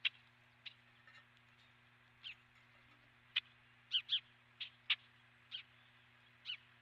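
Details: Osprey calling at its nest, recorded by a nest camera on 12 March 2016 at about 09:18; short, sharp, high whistled chirps spaced irregularly, roughly one per second, over a steady low mechanical hum.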